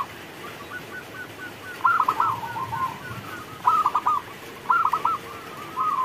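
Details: In the rain, a local zebra dove sings: soft, evenly spaced purring notes broken by three sharp clusters of quick coos, over a constant low hiss.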